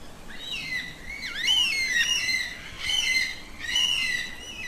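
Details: Yellow-tailed black cockatoo of southeastern Australia, a social species that travels in groups of four or five and calls to communicate; slurred, wailing whistles that bend up then fall, given in three drawn-out phrases.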